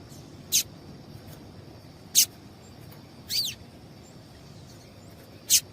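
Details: Female double-collared seedeater call, used to stir males into singing: four sharp, very high chirps roughly a second and a half apart, one a longer wavering note, over a quiet background with a faint steady high tone.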